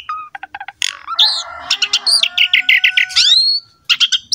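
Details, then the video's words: Asian pied starling in lively full song used as a training recording for young, lazy or wild-caught starlings: rapid mix of short clicks, harsh buzzy notes, rising and falling whistles and squeaky chatter. "MASTERAN BURUNG JALAK SUREN GACOR ISTIMEWA"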